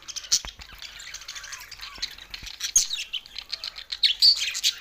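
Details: Budgerigars singing: dense, high chattering warble of rapid chirps, squeaks and scratchy notes, with brief sharp clicks and occasional louder squawks toward the end.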